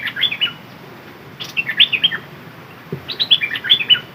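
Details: Dok taeng song from a decoy red-whiskered bulbul: crisp, lilting whistled notes in three brief phrases, each a quick run of rising and falling chirps, with quiet gaps between.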